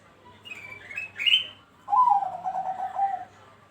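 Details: Bangkok-type zebra dove, kept as a song bird, in a lure recording meant to get other doves singing: a high whistled note, then a rolling, pulsed coo trill that falls slightly over about a second and a half.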